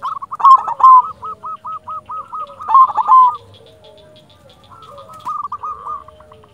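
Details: Zebra dove of the silver local variety singing to stimulate other doves: loud rolling coos lead into a long even string of hooked notes, repeated, then a fainter trailing series.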